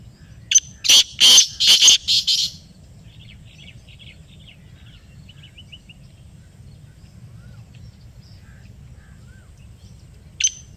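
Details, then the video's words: Black francolin calling back after a played call: four loud, harsh, grating bursts in rapid succession near the start, then faint scratchy notes trailing off, a last sharp note near the end, and otherwise quiet background. "Kala Teetar Ki Awaz | Black Partridge Voice"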